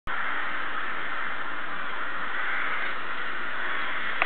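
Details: Rooks going to roost: a dense, unbroken chorus of many cawing birds merging into a continuous harsh roar, steady throughout, with a faint click near the end.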